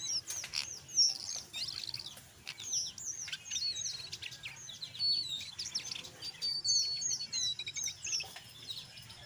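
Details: Jongkangan coklat in continuous gacor ngeriwik chatter mixed with ngeplong, used to lure other jongkangan to sing: dense, fast, high twittering of chips, slurred whistles and short trills, without a break for over nine seconds.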